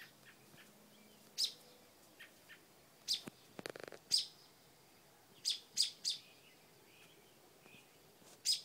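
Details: Mother bird nesting with new babies on a front porch, scolding a dog with sharp, very high, clipped chips given singly and in quick pairs at irregular intervals, plus a brief rustling burst midway.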